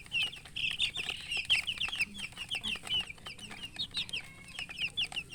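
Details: Just-born chicks chirp loudly, a quick run of high, bent peeps from a small group, calling in close succession with brief pauses between clusters.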